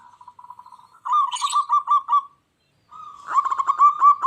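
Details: Local zebra dove in lively song, meant to make wild doves respond angrily: faint fast ticking coos, a louder rolling burst with a brief hiss, a pause, then quick stuttered coos building again.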